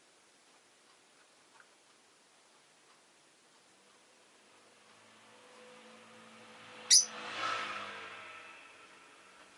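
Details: Quiet indoor hiss with one sharp click and a soft swelling rustle near the end.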